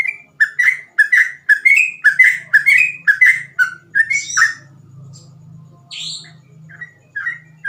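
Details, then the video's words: Energetic ropel song of a yellow-vented bulbul: a quick chain of bubbly, whistled notes about two per second, then a pause with scattered high chirps and a low hum. "burung trucukan gacor ropel cengkok mudah di tiru"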